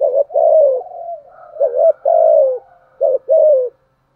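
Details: Lure spotted dove calling to stir up rival males, giving three loud two-part coos, each a brief note then a drawn-out descending coo, linked by soft low murmurs.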